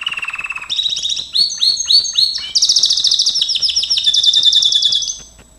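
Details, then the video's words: Gloster canary singing in a training recording. A low throbbing roll opens, followed by a series of sharp rising whistled chips, then a long, loud, high rapid trill that fades at the end. "Kenari gloster,GLOSTER CANARY SINGING"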